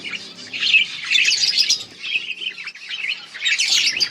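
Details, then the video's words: Budgerigars chattering continuously: dense warbling, squeaky chirps and trills that rise and fall, several birds overlapping with no pause. "Budgies sound for lonely birds birds chirping sounds"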